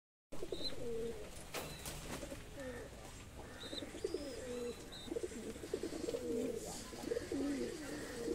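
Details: Fancy domestic pigeons kept in a loft give low, throaty cooing phrases repeated in overlapping bursts throughout, with faint higher chirps from other birds and light room noise behind.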